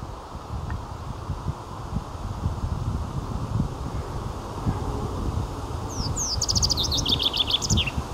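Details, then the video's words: Common chaffinch singing in May 2022: after six seconds of low wind and rustling, a bright trill of rapid high notes descends steadily in pitch over about two seconds and closes with a short sharp flourish. "Трель зяблика"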